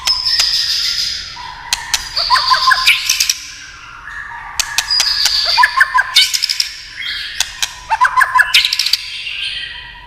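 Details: White-rumped shama song with tail-tapping stimulus: repeated phrase groups of stuttering notes and higher whistles roughly every two seconds, laced with dense sharp clicking taps.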